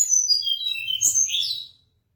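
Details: Mangrove blue flycatcher singing a short, high, sweet phrase of quick whistled notes that slide up and down, ending abruptly after under two seconds; a faint low rumble sits underneath.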